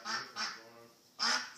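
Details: Lost duck calling: three loud, harsh, nasal calls, two close together and then one more after a short quiet gap.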